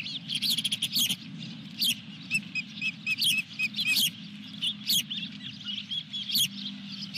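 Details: On 23 June 2021 at Dunrovin Ranch, an osprey with a fish at the nest gives repeated high piping chirps, some in quick strings of three or four, interspersed with clicks and a persistent low hum.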